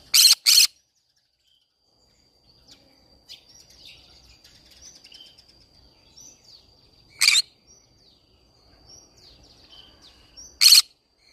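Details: Green-cheeked conure singing in the middle of a flower garden. A rapid pair of harsh squawks opens, followed by two more single rasping calls several seconds apart. Faint chirping of other birds fills the background.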